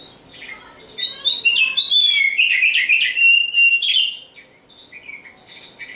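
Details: Black oriental magpie-robin (kacer hitam) in full song, beginning with soft notes, then a dense, loud run of fast chattering trills and varied whistles lasting about three seconds, ending in quieter sliding whistles.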